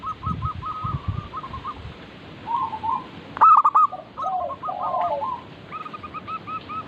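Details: Local zebra doves singing together, meant to prompt silent birds into song: short soft coo series, one loud stuttering coo phrase in the middle, then more overlapping rolling notes.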